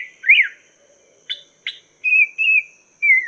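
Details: Short passage of Chinese hwamei master song for training caged songbirds: one rising-falling slur, two sharp clipped notes, then three level sustained whistles, the last sliding gently downward.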